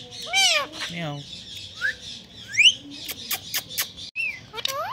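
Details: Talking Indian green ringneck parakeet at home: scattered harsh, buzzy squawks and a few sharp rising whistles, moderately quiet, spaced irregularly with soft background hiss.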